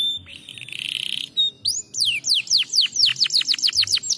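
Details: Canary song for stimulating lazy singers: a sustained buzzy high note and short whistle, then a fast sequence of sharp descending whistled notes, growing quicker toward the end.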